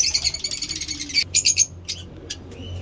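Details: A caged lovebird chatters in a fast run of shrill, scratchy notes, roughly ten per second, then breaks off into a few scattered chirps over steady low hum.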